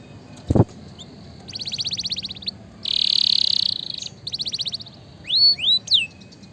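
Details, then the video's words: Vigorously singing canary, song used to train and stimulate lazy canaries: a short click, then rapid buzzy trills, a dense buzzing tour, another fast trill and a few upward-sweeping whistles. "suara masteran dan pancingan burung kenari gacor"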